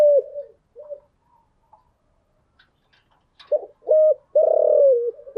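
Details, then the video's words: Spotted dove in the morning, kept as a cage bird, cooing: a loud phrase of short flat coos and a long drawn, falling note after a quiet gap, with softer distant coos at the start. "Tiếng chim gáy buổi sáng"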